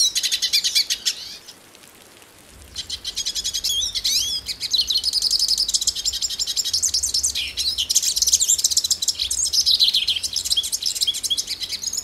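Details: Brazilian hooded siskin delivering a long, rapid warbling song of high twitters, slurred whistles and buzzy trills; a short break early on, then steady chattering resumes over a faint low hum.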